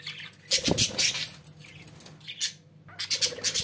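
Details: Pet budgerigars giving short bursts of high scratchy chirps and squawks, separated by brief pauses, with a low knock near the start.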